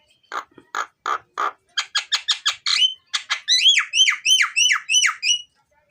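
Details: Javan myna song used as a lure to get birds singing: a run of harsh, raspy notes, then quicker buzzy chips, then a string of loud whistled notes that sweep up and down, about three per second, in a quiet setting.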